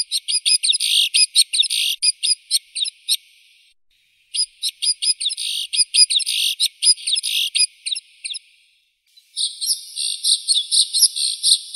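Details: White-winged snowfinch giving rapid bursts of high, sharp chirps in dense runs, broken by two short pauses, ending in a smoother buzzy chatter; no other sounds.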